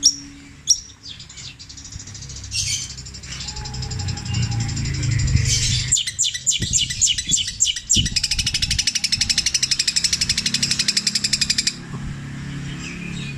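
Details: Long-tailed shrike, known as cendet, from Java performing long repeated imitations of tengkek buto, kuntilanak and sparrow calls in petir style: scattered sharp notes and harsh bursts, then a long fast machine-gun trill for about six seconds.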